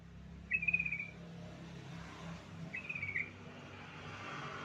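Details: Lure song of a yellow-vented bulbul, used to get other bulbuls singing. Two brief bubbly, gurgling phrases about two seconds apart, fairly faint against a steady hiss and low rumble.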